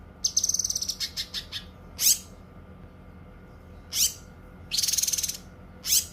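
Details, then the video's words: Cucak kinoi singing, a bird kept as a tutor and for therapy: an opening series of rapid high ticks, then separate shrill upswept notes and a short buzzy pulsed trill, with pauses between. "Suara Kicauan Burung Cucak Kinoi"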